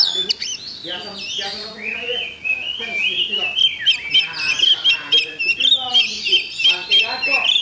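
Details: An Oriental magpie-robin sings at a contest dated Thursday, 8 October 2020. Its varied whistles and chattering trills run on without a break, over faint talking in the background.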